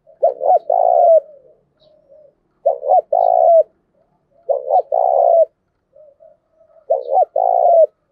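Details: Spotted dove crowing to lure and train decoys: four evenly spaced phrases about two seconds apart, each with two short notes and then a mellow sustained coo, with faint soft notes in between.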